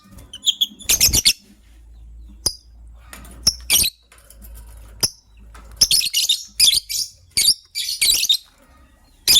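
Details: Lovebirds chirping in the morning, with bursts of shrill, high-pitched chirps in rapid clusters, some sharp clicks, and short quiet gaps between the bursts.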